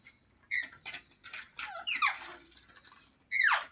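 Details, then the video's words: Pet parrot indoors giving a series of thin squeaky calls, several sharply falling in pitch, the last one longer and sweeping downward, separated by short pauses. "Funny Parrot Sounds Videos | मिट्ठू की आवाज़ | तोते की आवाज़"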